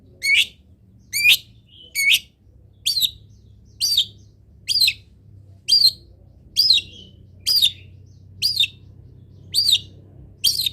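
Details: Long-tailed shrike voice for teaching other birds to sing: one sharp, slurred chirp repeated steadily about once a second for over ten seconds, each note bending downward, over a quiet hum.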